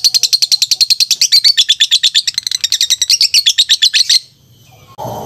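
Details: Lovebird chattering fast and shrill, a steady stream of high squeaky pulsed notes for about four seconds, then a sudden stop and a short burst of noise.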